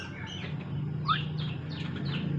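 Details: Talking Javan myna said to copy Islamic greetings, crying and coughing; quick bright chirps with one sharp rising whistle near the middle, then several descending squeaky notes, all above a constant low droning hum.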